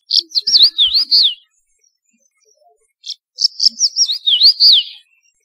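Crested bunting singing two brief, bright phrases of high slurred notes that swoop down and up, about three seconds apart, with quiet between.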